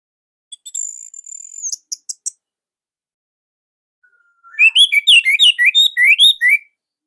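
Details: Orange-headed thrush in Indonesia, a nonstop singer with a loud, tight style. A drawn-out high whistle and a few clipped notes come first. After a pause, a fast run of sharp, slurred whistles repeats about three times a second.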